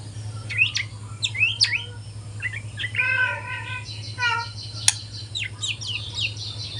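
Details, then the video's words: Young speckled white-rumped shama learning to sing in the morning: sharp upswept whistles, then harsh nasal chattering notes and a fast rattling trill, over a steady low hum. "kicauan murai batu trotol pagi hari"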